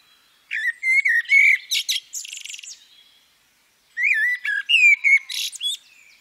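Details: Female common blackbird: two phrases, each opening with low fluty whistled notes and ending in a high, squeaky twitter, separated by about a second of silence.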